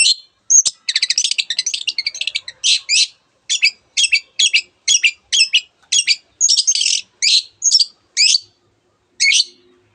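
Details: Long-tailed shrike song full of mimicry, including canary: a rapid buzzy trill followed by a steady series of short, harsh, broadband chip notes roughly every half second.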